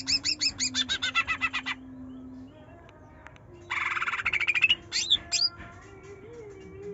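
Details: Greater green leafbird, trotol type, in a provocation song for a bird that is slow to sing: rapid series of high chirps, a gap with a faint low hum, then a dense buzzy rattling burst and a few whistled notes.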